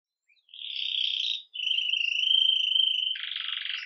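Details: Red mosaic agate Belgian canary beginning the day with 'Campainha' bell-style song, recorded live: a steady rolled tone, a brief break, a long smooth trill, then a broader buzzing roll.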